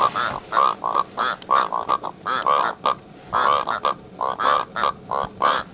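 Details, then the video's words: Karoo Korhaan giving harsh, frog-like croaking notes in rapid rhythmic bursts, about three or four per second, with short pauses between phrases. "Karoo Korhaan"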